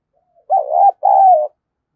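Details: Caged decoy spotted dove cooing to lure wild doves: two loud, low, hoarse coo notes, the first wavering, the second longer and sliding slightly downward, with silence around them.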